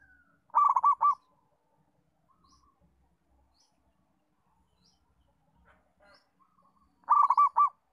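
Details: A local zebra dove with a steady song, offered for teaching other zebra doves; a burst of rapid, bubbling coos, then over five seconds of near silence before an identical phrase returns.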